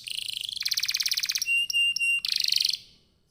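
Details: Canary song used as a lure to provoke other canaries into singing: rapid buzzy trills and rattles, then steady high whistled notes and a dense trill, all high-pitched.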